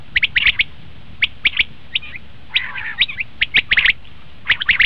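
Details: Common quail calling as a hunting lure, rapid clipped notes crowded into groups, with a brief rasping burst near two and a half seconds, over faint steady background noise.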